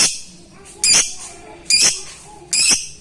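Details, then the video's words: Lovebird calling a rival, a call used as a lure to spur lovebirds that are reluctant to sing; three harsh, high, piercing shrieks spaced nearly a second apart, with quiet background between them. "LOVEBIRD MEMANGGIL LAWAN"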